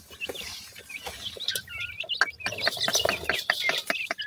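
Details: Young francolin (teetar) chicks peeping: thin, high chirps, some slurred downward, scattered among sharp tapping clicks, with a soft low hum underneath.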